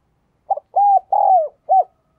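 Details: A cleanly recorded spotted dove decoy calls to lure wild doves: a stuttered opening note, a steady arched coo, a long downward-curving coo, then one brief closing note, in otherwise quiet surroundings.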